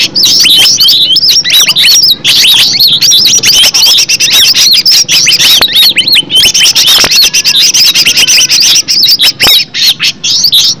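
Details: Cucak ijo, the green leafbird, sung as a lure to prompt captive birds to answer: a loud, unbroken torrent of chirps, slurred whistles and harsh squeaky notes lasting the whole stretch, faintly dipping near the end.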